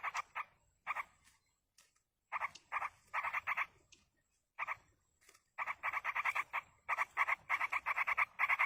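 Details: Wild yellow-vented bulbul nestlings during parental feeding give harsh, buzzy repeated notes in irregular clusters, swelling into a fast continuous chatter of rasping pulses toward the end.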